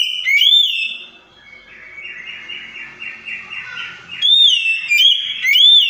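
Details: Oriental magpie-robin song played to prompt a stalled, stressed bird to sing back: sharp upslurred whistles, a stretch of rapid buzzy warbled notes, then more bright looping whistles.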